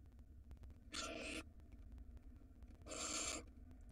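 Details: Nesting barn owl pair in Israel, 2022 season, with a large rodent in the box; two long breathy hisses, about half a second each and two seconds apart, over low mechanical hum.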